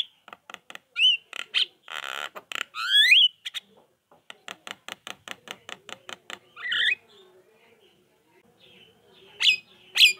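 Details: [['Javan myna song played to prompt silent mynas to respond: clicking bursts and harsh rasps with a few sharp rising whistles, then a scratchy squeal and two thin high whistles near the end.']]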